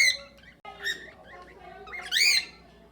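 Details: Several cockatiels in an aviary shared with budgerigars, calling out of contentment: a few rough harmonic squawks, then one loud arched screech near the end, over a steady low hum.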